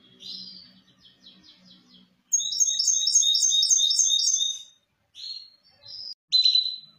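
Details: Song of a hybrid misto meant for teaching young birds: soft trills give way to a loud, evenly repeated rolling phrase, ending in separate whistles and a sharp chirp.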